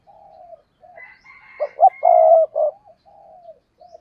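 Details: Spotted dove kept as a decoy bird, giving an intense 'thúc gù' cooing. Soft, low hooting coos open, then a loud cluster of deep, throaty coos in the middle with one long sustained note, fading back to quiet coos.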